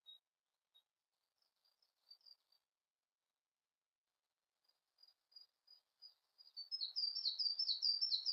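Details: Quiet Siberian blue robin song: scattered soft, high, thin notes spaced a second or so apart, then a louder, steady, buzzy high trill in the final seconds over faint hiss.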